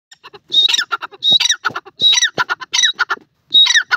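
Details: Francolin, known locally as teetar, calling at home: loud harsh squawking bursts with bright ringing overtones, grouped in repeated phrases of several rapid notes about every 0.7 seconds.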